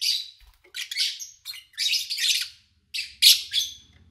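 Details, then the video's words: Pet lovebirds in August 2019, recorded with little human activity: loud, raspy chirps and squawky notes in uneven bursts, with a soft low rumble in the background. "Sounds of Lovebird Chirping"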